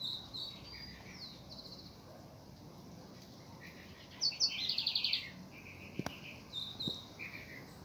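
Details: House wren giving scratchy high chirps, then a loud, rapid, buzzy chattering trill near the middle, followed by softer chip notes, over a faint steady background hiss.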